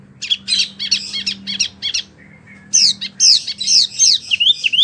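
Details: Brisk Wambie mini song: clusters of buzzy, scratchy chirps, a short pause, then loud, sharp, downward-sweeping whistles repeated in quick succession.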